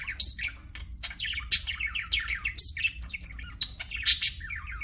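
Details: Pet budgies give loud sharp chirps and squeaky whistles in irregular clusters, interspersed with softer buzzy warbling, over a low steady hum.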